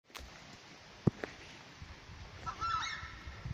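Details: Southern screamer, locally called tapacare or chajá, in the Chaco of Santa Cruz: after about two and a half seconds of quiet with a few dull knocks, one short nasal honk with bright overtones, and a low rumble underneath.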